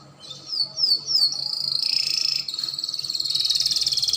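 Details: Spanish Timbrado canary song meant for training young canaries, with three quick downslurred whistles followed by a long high, shimmering trill that broadens and continues to the end.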